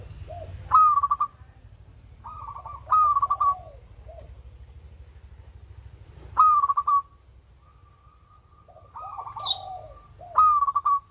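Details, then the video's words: Local zebra dove, melodious, kept as a lure for reluctant singers. Five pulsed cooing phrases, each opening on a sharp clear note, come at irregular intervals with soft lower notes between them. A faint high chirp is also heard. "Perkutut LOKAL SUARA MERDU"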